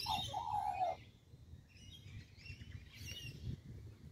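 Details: Australian magpie perched in a tree in Kings Park, Perth, Western Australia: a mellow, fluty warble for the first second, then fainter higher twittering notes over low rumbling background noise.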